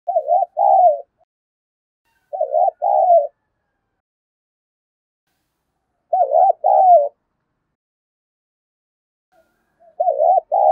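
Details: Spotted dove cooing, a recording for prompting a captive dove to coo quickly: soft, mellow two-part coo phrases, each a wavering note then a longer falling one, repeated roughly every three to four seconds with silent gaps between.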